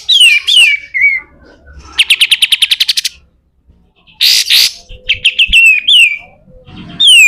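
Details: Pied triller singing rough 'besetan kasar' song for tutoring other birds: falling whistled pairs, a long rapid rattling trill, harsh noisy bursts, then more downslurred whistles.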